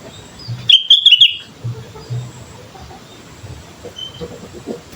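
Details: An energetic sooty-headed bulbul used as a lure for training: one quick phrase of chirpy, tumbling whistles near the start, then a quiet background with faint distant chirps.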